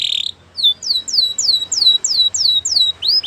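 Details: Canary song for training: a short burst of dense, high notes, then a steady run of clear downward-slurred whistles, each about a third of a second apart, ending on rising notes.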